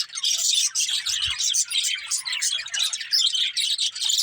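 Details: Many budgies chirp at once, producing a thick stream of high, scratchy twitters and quick squeaks that rise and fall in short waves.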